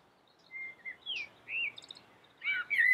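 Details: Common blackbird song: clear fluted whistles, a flat note, then short rising and falling slurred notes, ending in a louder twisting phrase with a thin high twitter, heard against a quiet background.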